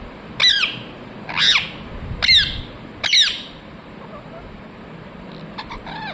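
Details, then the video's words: Talking parrot saying "mithu mithu": four loud, rasping, downward-bending squawks at roughly one-second intervals, followed by quieter, softer squeaks near the end. "Parrot talking mithu mithu"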